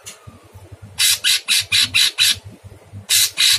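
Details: Sooty-headed bulbul (cungkok) singing a harsh, rough masteran training song for cage birds, with long bursts; loud raspy squawk-like notes repeated in a rapid series of about six, a pause, then two more.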